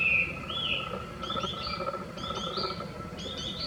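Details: Chinese hwamei singing among cherry blossoms, captured on a Nikon compact camera: a rising whistled opening note, then bright paired whistled phrases repeated roughly every second over a steady background hiss.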